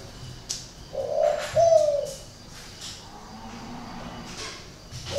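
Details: Spotted dove kept at a breeding garden in Ba Vì, Hanoi, with an unusual coo. Gives one soft two-note coo over a noisy background of clicks and rustling, with a faint low drone afterward.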